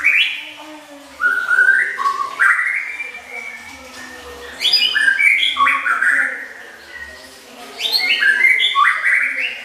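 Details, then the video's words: Oriental magpie-robin tutoring song with varied filler phrases, prepared for contest judging: loud whistled notes stepping and sliding between low and high, delivered in three bursts with short quieter gaps. "BERBAGAI MACAM MASTERAN ISIAN, SIAP MEMUKAU JURI"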